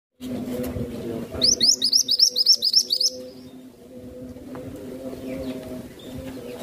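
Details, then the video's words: Masteran songbird, kept as a tutor bird and described as sweet-sounding: a rapid run of about ten high, sharp chirped notes lasting under two seconds, over a steady low humming drone in the background. "BURUNG MASTERAN IMUT NAN CANTIK..SUARANYA BAGUS ADEM SEJALUR"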